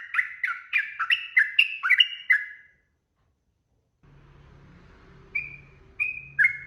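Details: Yellow-vented bulbul long song used as a lure for other birds to reply: a quick burst of slurred chirpy whistles, then silence, then low humming with three isolated whistled notes.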